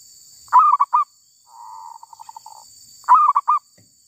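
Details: Trapped wild female zebra dove calling: a loud three-part coo, then a softer rolling series of short beaded coos, then another loud three-part coo, with a thin steady hiss behind.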